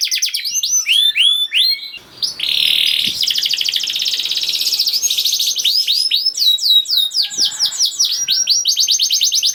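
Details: Canary song meant to stir silent canaries into singing: quick falling whistles, then a long dense buzzing trill and rattling passages, ending in renewed sweeping notes.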